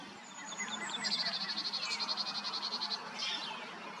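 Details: Black-chinned hummingbird, recorded in Texas or Arizona, giving a rapid, even series of about twenty high, thin ticking notes over two seconds, with faint scattered bird notes and a low background hum.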